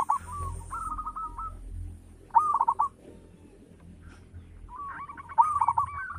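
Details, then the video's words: Local zebra dove, a persistent singer with a big, rich voice, producing cooed phrases that break into fast rolling trills about every three seconds, over a low steady rumble with occasional crackles. "Perkutut lokal gacor - SUARA BESAR MEWAH"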